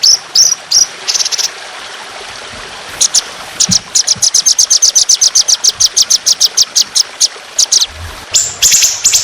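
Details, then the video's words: Trotolan on a songbird training recording with water sounds. A few high buzzy bursts open the song, followed by a long run of sharp, evenly spaced high notes, then a final dense burst. "Masteran Burung Trotolan Jahat Tembakan Panjang Kasar Ngedur || Masteran Burung Dengan Gemricik Air"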